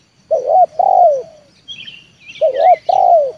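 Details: Trained lure spotted dove calling to draw a wild dove down to the yard: two pairs of mellow, hoarse coos, each a short note then a longer falling one. Faint chirps from other birds.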